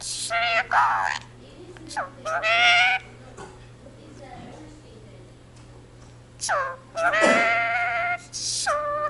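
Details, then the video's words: Pet Indian ringneck parakeet reciting the Punjabi jaikara "jo bole so nihaal sat sri akal": shrill, word-like phrases in two groups separated by several seconds of quiet room noise. "the talking parrot jaikara indian ringneck speaks in punjabi"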